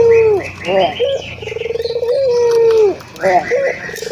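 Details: Prolific local ringed turtle dove, played to encourage caged doves to coo. A falling coo is followed by clipped notes and a rapid throbbing purr, then a long smooth coo that dips at the end. Soft bird chirps are heard beyond.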